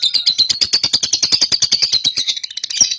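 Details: Young cobalt lovebird in ngekek, played to prompt other lovebirds: a steady, evenly pulsed high chatter of about eight notes per second throughout, ending with a sharp squeak.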